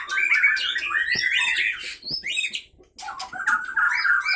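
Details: Caged white-rumped shama from the Pining area of Gayo Lues, Aceh, in fighting mode; loud, hurried chattering song of sharp notes and slurred whistles, a short silence, then more rapid varied phrases.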